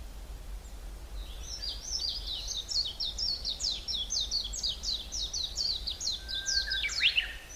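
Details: Hallerbos woodland near Brussels, Belgium: a bird delivers an even, rapid string of high downslurred notes, ending in a whistle and a sharp rising flourish, with faint forest ambience.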